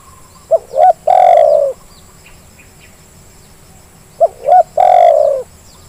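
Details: Spotted dove calling on a lure track meant to stir lazy birds into calling. Two phrases, each a pair of clipped rising notes and then a long mellow coo, with about three seconds of quiet between them. Faint twittering of small birds in the background.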